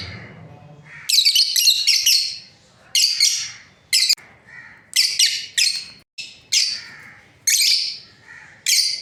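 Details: Breeding pair of lovebirds chirping in a large indoor space: bursts of harsh, high squawky chirps in clusters of a second or so, separated by short pauses, with a faint low hum beneath.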